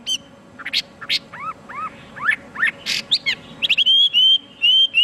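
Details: Chinese hwamei in full song, opening with scattered sharp chips and paired downslurred whistles, then building into bright clear whistled notes and a sustained rising whistle near the end; a low steady hum runs underneath.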